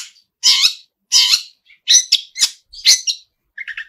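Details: Long-tailed shrike, lively song filled with mimicked fills: five rough, rasping bursts about every half second, ending in a softer low chattering trill.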